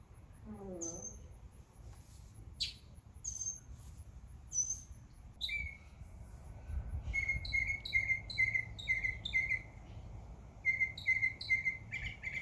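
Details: Backyard birds chirping in summer: a few scattered high whistled notes and a descending stutter, then a steady series of short, sharp chirps repeated several times a second, with higher twittering notes layered above.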